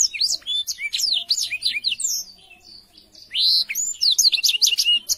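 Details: Black-throated canary in full, lively song, used as a tutor recording for young canaries: rapid high chirps and sweeping slurred whistles, a brief lull near the third second, then a dense burst of bright notes.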